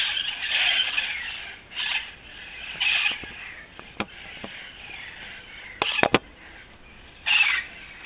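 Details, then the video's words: Wild parrots screeching in a big flock in Los Angeles, harsh rasping bursts spaced a second or two apart, with a few sharp clicks or knocks in between. "Wild Parrot Flock"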